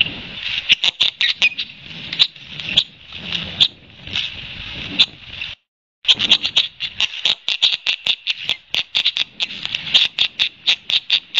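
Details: Red-winged blackbird harassing a pair of ospreys with two young on their nest at Long Beach Island, New Jersey, in June, defending its territory; dense runs of sharp, dry chips repeat rapidly, broken by a short silence midway.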